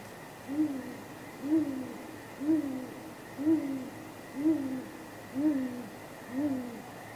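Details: Great grey owl pair at the nest at night, 9:39 pm on 23 April 2019, giving contact hoots before possible mating, picked up by a live nest camera: seven deep, soft hoots, each slightly falling, spaced about one second apart, over a steady background hum.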